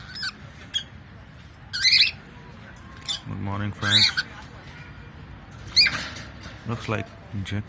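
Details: Pet cockatiel making funny sounds: harsh, noisy squawks in bursts, mixed with a human voice speaking between them.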